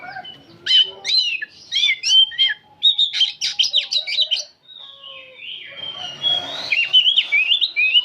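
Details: Old magpie-robin in continuous 'nyerecet' song: clusters of fast, piercing chattering notes repeated in bursts, followed by a softer, lower stretch and then rising, slurred whistled phrases.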